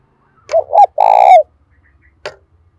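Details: Decoy spotted dove calling loudly: two brief hollow coos run into one long buzzy coo that drops at its end, followed by a single faint click; near-silent background.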